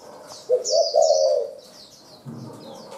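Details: Wild forest spotted dove calling in a rapid delivery: a short low coo at half a second, then a longer hoarse, slightly wavering coo lasting about half a second. High twittering of small birds continues behind it.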